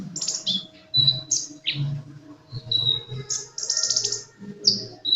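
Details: Sunbird singing energetically: high, thin whistled notes and sharp downslurred chips with brief pauses between phrases, over a soft low rumble in the background.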